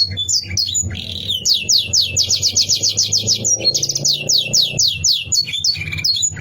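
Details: Rival-provoking canary song, a long run of rapid repeated downward-sweeping notes broken by brief chirps, with a faint low hum throughout.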